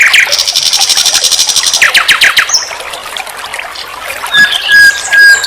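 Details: Nightingale singing on a training master for songbirds: a fast rattling trill opening the phrase, a brief whistled note, a quieter pause, then thin high whistles ending with a steady pure tone.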